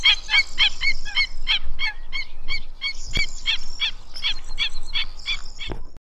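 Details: Black-winged Stilt giving a steady run of sharp, yapping kek notes, about four per second, each nasal and harmonic, continuing for about six seconds with faint low thumps behind.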